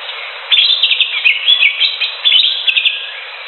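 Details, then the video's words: A greater green leafbird sings in the wild: a dense, fast chatter of bright, high whistled and squeaky notes tumbling together almost without pause after a brief quiet start. "SUARA CUCAK HIJAU DI ALAM LIAR"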